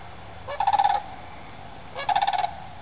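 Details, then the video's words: Morning flyover of a sandhill crane group leaving its overnight roost in woods for fields; two strong rolling, purring bugle calls, each about half a second long and pulsed, separated by a short pause. "SANDHILL CRANE SONG"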